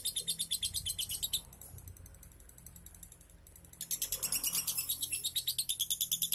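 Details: Lovebird ngunci-style chatter used to prompt a reluctant lovebird to sing: a rapid burst of shrill, ratchet-like notes, over two seconds of near silence, then the fast, high rattling chatter resumes and carries on to the end.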